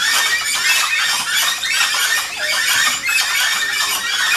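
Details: An early-morning chorus of Gray-headed chachalacas at Rancho Naturalista, Costa Rica. Several birds call at once, giving rough, grating notes repeated over and over in a continuous, raucous din.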